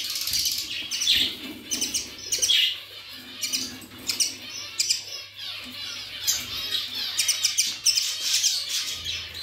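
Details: Pet budgerigars chattering continuously, a dense stream of high, scratchy chirps and warbled twitters, overlapping and unbroken, with brief louder bursts every second or so and a faint low hum underneath.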